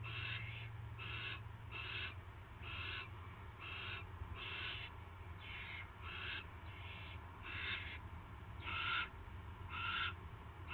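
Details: Owl recorded at 7:05 PM on March 2, 2016, as a rat is brought in; rasping, breathy screech bursts come about once a second in an uneven series, with a constant low electrical hum beneath.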